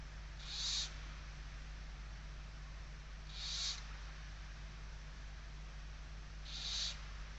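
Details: Inside a barn owl nest in Spain, 16 November 2023, a vigilant mother with a kestrel nearby: three breathy, rasping hisses spaced roughly three seconds apart, against a constant low electrical hum.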